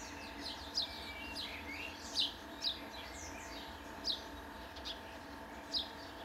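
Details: Passer italiae, the Italian sparrow, giving sharp high chirps roughly every second or two, each a quick falling note, irregularly spaced against a constant faint outdoor hum.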